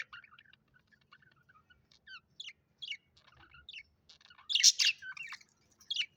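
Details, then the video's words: Colorful Australian budgies, pet parrots, chirping: scattered short twittering notes and warbles, with a louder dense burst of chatter near the end and a final sharp chirp. "Bird's chirping peaceful sound effect"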